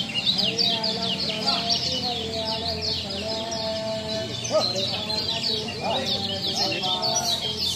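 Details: Masteran recording of kecial lombok: a rapid, unbroken chatter of high, sharp chirps and twittered trills, with a few lower whistled notes from other birds and a low droning hum beneath.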